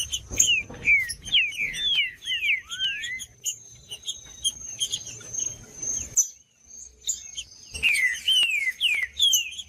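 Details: Green-winged saltator song for warming up a bird that has gone quiet: a fast series of whistled downslurs, one rising note, then a brief pause before more whistles resume, with a steady high hiss-like tone throughout.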